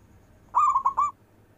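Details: Zebra dove, a local perkutut, singing its long-breath 'manggung' song: one soft, rolling coo phrase broken into three quick warbling pulses, against a faint low hum.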